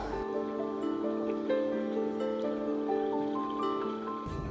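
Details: Soft melodic music of steady sustained tones with no animal calls.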